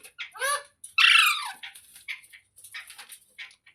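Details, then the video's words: Parrot producing a quick rising-falling squawk followed by a louder, drawn-out screech, then softer chattering notes and scratchy sounds. "Parrot Talking Sounds Videos | Parrot Voice |Parrot Ki Awaaz"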